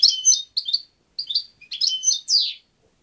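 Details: Lively European goldfinch song: a near-continuous run of rapid, tinkling twitters and chirps with brief pauses, ending in a longer descending buzzy trill.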